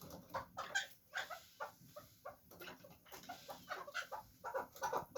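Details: Fighting chukar partridge giving uneven bursts of harsh, clucking notes, some doubled, several per second with short gaps, over a faint hiss.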